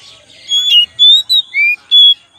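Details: Oriental magpie-robin song played as a lure: five loud whistled notes, some steady and level, one rising, one dipping, spaced roughly every quarter second over a quiet background.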